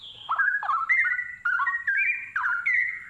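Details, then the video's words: A Straw-headed Bulbul sings a loud, rich, bubbling run of clear whistled notes that rise and fall, delivered in quick overlapping phrases without pause. "Burung cucak Rowo sepesial. (spesial bird sounds)"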